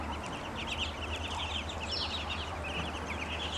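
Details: A group of growing ducklings peeping when hungry, with dense, overlapping short high notes running without pause over a low droning hum.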